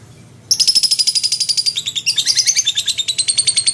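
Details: Lovebird in full, energetic song, kept as a tutor for magpie-robins: after a quiet start, a sudden burst of shrill, rapid chattering notes, evenly pulsed at roughly two to three per second and shifting pitch midway.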